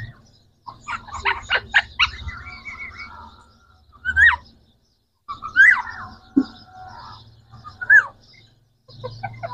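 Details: Three green Pakistani talking parrots: quick stuttering clicks, a held nasal tone, then scattered rising squeaks and murmured speech-like sounds with low background rumble.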